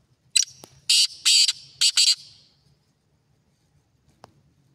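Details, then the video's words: Black francolin calling: a quick stuttered series of five harsh, rasping, hissy bursts packed into about two seconds, followed by near silence broken by one faint click. "kala teetar ki awaz | black Partridge voice"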